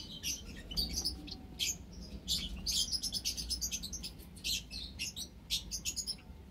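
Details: Ten white Java sparrows in an aviary with white-headed, scaly-breasted and tricolored munias, March 2021; a near-continuous stream of high, crisp chirps and clicks from several birds overlapping, over a soft low rumble.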